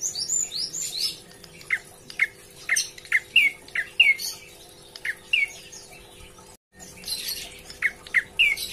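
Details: A prinia, said to be calling to its companions, gives sharp, curling chirps, about one every half second in loose bursts, over a steady low electrical hum and some higher scratchy notes.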